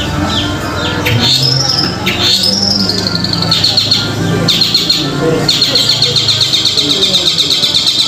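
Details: Long-tailed shrike (Lanius schach) song used as a lure to make silent shrikes answer: a busy, scratchy song of rapid high chatters and slurred whistles, about four notes a second, over a faint musical background hum.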